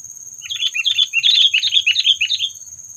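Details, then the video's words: Sooty-headed bulbul calls used when trapping birds to provoke predators: busy, chattering bursts of short notes in the upper range, tumbling rapidly over nearly three seconds with a steady high hiss behind. "SUARA PANGGILAN AMPUH PIKAT KUTILANG MEMANCING EMOSI PREDATOR"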